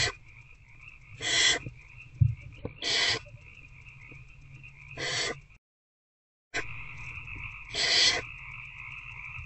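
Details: Nest-box barn owls at night, adult feeding its older owlet in February: four loud, rasping hissed screeches spaced about one and a half seconds apart, broken by a brief dropout, over a constant low hum.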